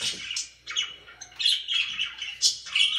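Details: Pet budgerigars chirping indoors: bursts of scratchy, warbling chatter mixed with sharp squawky notes, broken by a short pause near the middle, with a faint low hum underneath.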